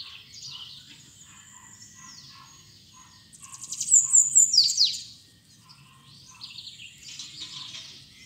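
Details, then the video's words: Bananaquit in 'trica ferro' style song, 'pitxiu pitxiu': faint high, hissy phrases at first, then a loud burst of rapid, piercing notes and falling slurs in the middle, followed by quieter high twittering against soft background noise. "SIBITE TRICA FERRO CANTANDO PITXIU PITXIU"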